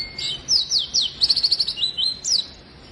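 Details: Lively oriental white-eye singing to spur quiet birds into song: a thin whistle, then bright high slurred notes and a fast trilled run of sharp chirps.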